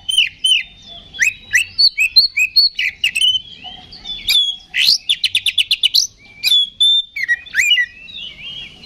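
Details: Fighting-style ngeplong song of an Oriental magpie-robin, used to trigger rival magpie-robins into responding; lively chain of varied whistles and slurs, broken midway by a fast trill of about ten rapid buzzy notes, then more clear whistles.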